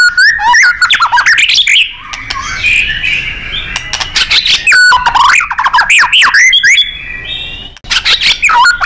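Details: White-rumped shama (murai batu) in a tutor recording for training contest birds, delivered in lively gacor and nembak style: loud, fast, varied whistled phrases with sharp rising and falling notes and rapid chattering bursts, briefly softer midway.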